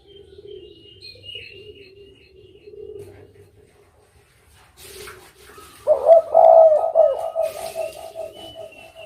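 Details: Low, soft hooting from a spotted dove for several seconds, a brief rustle, then a louder, richer rolling coo phrase that pulses and slowly fades.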